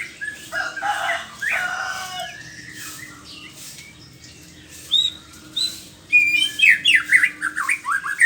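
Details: White-rumped shama, morning: a few harsh, scratchy notes open the phrase, then a quiet gap, then a loud, fast series of sharp sliding whistled notes.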